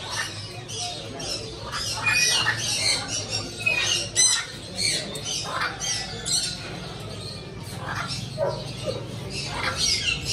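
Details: Pet parrots squawking and chattering continuously, many harsh raspy notes and screeches in rapid succession over a low steady hum.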